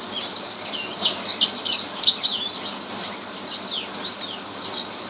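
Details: Song of the rare Horsfield's bush lark: rapid high chirps and downward-sweeping slurred notes in a continuous twittering stream.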